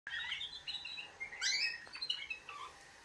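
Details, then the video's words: Canaries singing a wake-up song: scattered high twittering phrases and short trills, with a brief bright burst in the middle, softer notes trailing off. "Kanarienvögel Weckgesang |||Canaries wake-up song"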